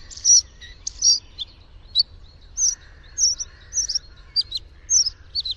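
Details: Bluethroat delivering a lively run of sharp, high chirped and twanging notes, roughly two per second, interleaved with softer lower warbles, in a quiet setting.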